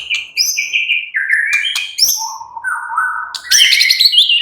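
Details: White-rumped shama (murai batu) in relaxed song; long whistled notes stepping down in pitch, with sharp high chips, then a fast, bright, buzzy trill at the end.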